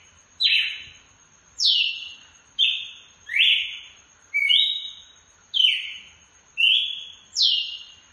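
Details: Red-cowled cardinal in açoite song, shouting a series of eight bright whistled notes that slide downward and fade, delivered about one per second, accompanied throughout by a faint steady high tone.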